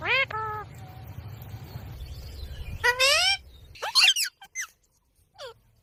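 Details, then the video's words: Dancing green ringneck parrot uttering drawn-out, harmonic notes that slide downward, then bursts of high squeaky chatter and a few short falling squeaks. A low hum sits underneath. "Ringneck Parrot sound"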